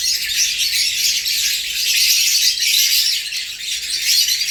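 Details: Newly transferred caged pair of African lovebirds, a parblue opaline hen and a sable violet clear pied ino male, squabbling territorially with neighbours next door, 20 April 2020; dense, continuous shrill high chattering and screeching with no pauses, indoors.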